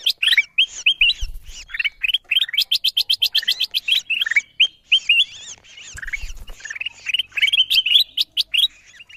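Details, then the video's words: Ruby-throated bulbul lure recording meant to draw wild birds down. Dense bursts of bright, chirpy notes, some rising and some falling, come in rapid strings with short gaps, with occasional low thumps underneath. "Suara pikat kutilang emas memanggil burung liar paling ampuh"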